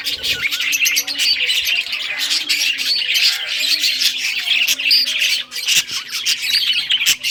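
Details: Several budgerigars in rare colours chirp and squawk while playing with toys; a loud, continuous flock chatter of rasping and whistled notes with occasional clicks.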